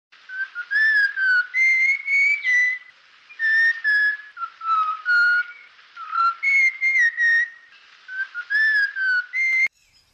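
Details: Red-whiskered bulbul in a garden giving clear, whistled phrases with rich overtones, each about half a second long, rising and falling, in short groups separated by brief pauses over ten seconds; no other sounds intrude.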